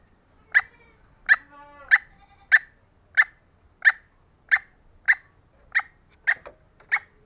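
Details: Female green junglefowl calling, used to lure lazy males into responding: a steady series of short, sharp clucks about every 0.6 seconds, each a brief bright burst, with a faint harmonic note after the second cluck.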